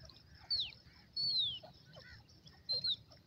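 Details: Grey francolin chicks feeding in a forest: three thin, high, whistled peeps, each sliding downward, spaced about a second apart over a steady low background rumble.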